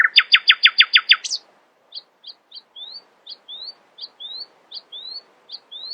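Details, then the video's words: Nightingale in the early morning opening with a loud, very fast stuttering burst, then a steady series of thin clicks paired with rising whistled slurs, repeated about twice a second. "Nightingale screamed in the early morning, proudly displaying her poetic singing voice."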